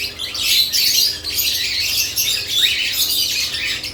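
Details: Lovebirds in a cage busy with freshly added nest boxes: a steady flurry of shrill, high chirps and harsh squawks from several birds, overlapping throughout.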